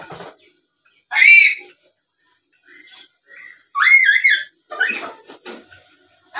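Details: Black-capped lory, a lively talking bird, chattering as a lure to provoke rival birds: scattered short bursts of harsh, squeaky and whistled notes with gaps of silence between, some bending upward in pitch.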